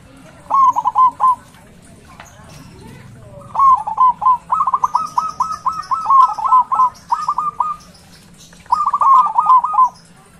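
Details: Loud local zebra dove cooing, kept as lure sound for doves that stopped calling: three phrases of fast, stuttering coo notes, the middle one long and rolling, separated by short pauses.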